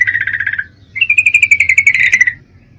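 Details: Breeding-condition female Yellow-vented Bulbul calling a male: a short rattling burst, a pause, then a longer run of rapid pulsed notes rising a little then falling, over faint low hum.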